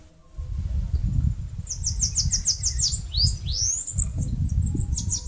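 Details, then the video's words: Bananaquit, known locally as caga-sebo, singing while building a nest on a mandacaru cactus in northeastern Brazil: a rapid series of thin, high, buzzy chirps, then sweeping, rising squeaky notes, over a steady low rumble. "CANTO do CAGA-SEBO (SIBITE, CHUPA CAJU..)"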